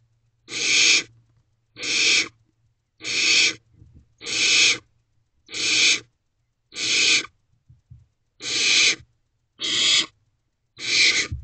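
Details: Nine steady, breathy hissing screeches about one per second, from barn owl owlets in their nest box at night on 14 May 2023 while one preens a sibling and another has a mouse.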